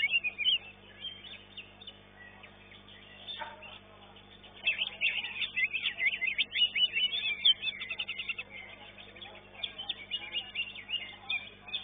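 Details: Greater green leafbirds at a singing contest, elite class, caged: loud chirps at the start, a brief lull, then a long busy outpouring of rapid twittering, whistled slurs and trills before easing off.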